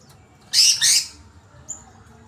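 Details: Agitated greater green leafbird giving a short harsh burst: two loud, broad high notes around half a second apart, then a faint thin whistle near the end.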